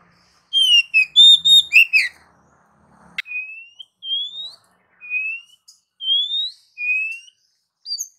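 Oriental magpie-robin singing clear, high whistles: a rich burst of varied notes, then a series of slurred rising whistles about every second.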